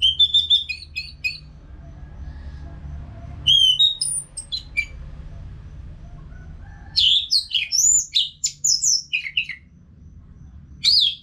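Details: Orange-headed thrush, song used for caged-bird training: short bursts of varied, rich whistles and warbled trills separated by quiet gaps, with a faint low hum beneath.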